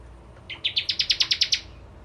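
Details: {'caption': 'One bar-winged prinia phrase of about nine high, sharp chips given in quick succession, the first few notes rising in pitch before a level, evenly spaced run.'}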